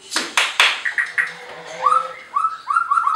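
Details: Captive white-rumped shama at a bird farm in Anyer, Banten, singing to make rivals react: sharp clicks, then a run of short, repeated upward-slurred whistles that quicken toward the end, with quiet voices behind.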